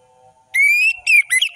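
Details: Orange-headed thrush giving a long smooth rising whistle, then quick slurred falling whistles, with a low steady hum underneath.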